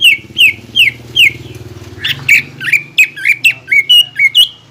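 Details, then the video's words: Greater green leafbird lure song for contest stimulation. Four spaced downward whistles are followed by a faster run of sharp, slurred notes, all over a soft low hum. "PANCINGAN CUCAK IJO GACOR AGAR MAU NGENTROK DAN FIGHTER SAAT LOMBA"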